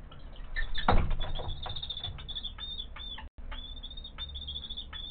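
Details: Common kestrel chick chasing its father along a railing, begging for food: rapid series of thin, high, repeated whining calls running throughout, over low rumbling background noise and a brief loud knock near the start.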